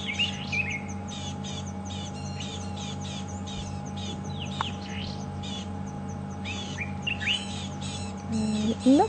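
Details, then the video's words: Small birds, possibly little nettapus-like birds, pale with a brown cap, giving alarm calls very close by while a lioness lies relaxed near a safari vehicle at Djuma Game Reserve in February; rapid high chirps and trills, steady low engine hum beneath. "you can hear the birds giving the alarm call very close by."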